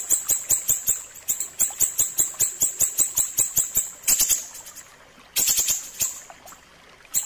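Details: Ashy tailorbird song for training cage birds, a quick, regular run of shrill ticking notes that breaks off into a short burst, a pause, then a few scattered high notes.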